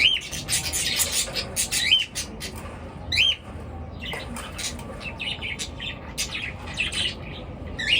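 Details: Birds calling in the morning with distinct rising-then-falling whistled chirps, repeated several times, amid noisy bursts of scratchy chatter.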